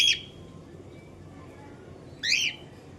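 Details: Cockatiel giving two short, bright, rising chirps with a rich layered tone, one at the start and one after about two seconds, quiet room in between.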